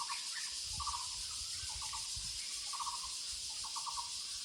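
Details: A Muller's barbet in the woods repeats brief trills of rapid low, hollow notes, four or five bursts, set against a steady high-pitched insect hiss.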